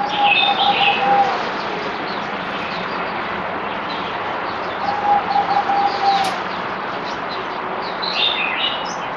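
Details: Zebra dove (merbok) kept as a cage bird, recorded on 17 April 2020 during deworming, day four: two bursts of rapid, level, trilling coos several seconds apart, with higher sharp chirps from other birds and steady background noise.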